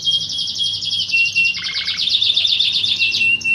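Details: Dense, continuous high trilling from a fighting canary in a training song, with a thin whistle running through it and a brief lower rattle midway.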